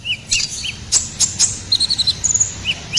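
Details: Sunbird song, ruby-cheeked, used as master audio for songbirds: paired upslurred chirps, sharp ticks, then a fast run of evenly spaced high notes, quiet background.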